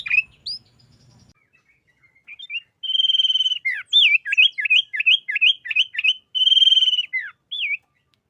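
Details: Sooty-headed bulbul singing in the full 'gacor isian' style meant for training other bulbuls: a few scattered notes, then a steady whistle, a chain of bouncy looping whistles and another long held tone.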